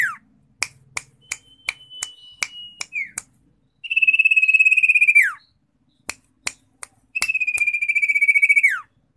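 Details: Common iora (Aegithina tiphia), song.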